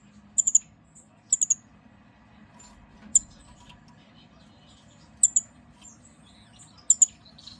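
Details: Pair of blue-faced parrotfinches on a wooden perch giving very high, thin tsit notes, singly or in quick clusters of two or three, every second or two over a low steady hum.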